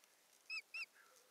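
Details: Osprey on a nest-camera recording from Satakunta, Finland, 7 May 2019, as a twig is brought to the nest: two clear, arched whistled notes in quick succession, then quiet.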